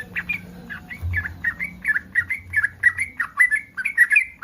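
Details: Yellow-vented bulbul in breeding condition giving its mating call, which draws replies from other bulbuls: a steady run of short, bright chirping notes about four per second, each a quick rising-falling flick, over a faint low hum.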